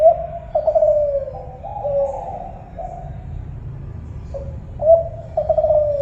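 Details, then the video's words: Spotted dove (tekukur Kelantan) cooing: a long falling coo phrase at the start, a quiet gap, then a new phrase beginning with clipped notes; a low hum lies underneath. "suara burung tekukur kelantan"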